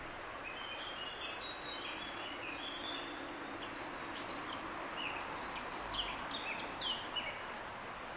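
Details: Juvenile grey wagtail giving a scatter of short, high, thin chirps and sharp tsit-like notes, irregularly spaced throughout, over a steady loud broadband rushing background noise.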